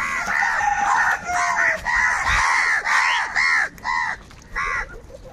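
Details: Several crows fighting for food, with harsh caws repeated rapidly and overlapping almost continuously, sometimes more than two each second, over a busy background.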